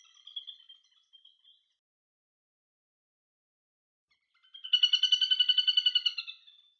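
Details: Little grebe giving a shrill, fast trill of rapidly repeated, piping notes lasting about two seconds, preceded by a faint brief trill and a long silence.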